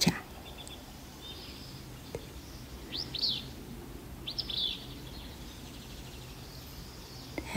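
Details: Willow Flycatcher, though introduced as a Western Wood Pewee, in a Vancouver, BC forest in spring, giving two short, sharp, buzzy burry phrases about a second apart, high-pitched over steady low background noise.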